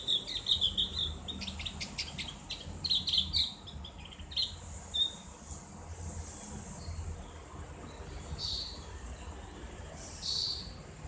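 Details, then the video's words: Javan white-eye in ngriwik style for tutoring a bird: quick runs of high, thin chirps in the first four seconds, then sparse faint notes, over a low engine-like hum and hiss. "terapi ngriwik buat burung opior jawa/cak gentong | suara ngeplong"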